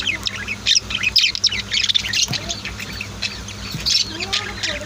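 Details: Home-kept budgies and lovebirds in a busy flock: overlapping squawky chirps and quick high twitters repeat without pause, a few lower rising notes mixed in, steady low hum underneath.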